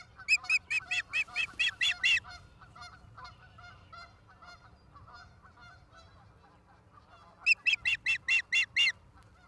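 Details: Ospreys at their nest in Charlo, Montana, on 17 August 2023 at 16:04, from a live nest camera. Two bursts of rapid, shrill piping notes, about eight per burst, with softer scattered chatter between them.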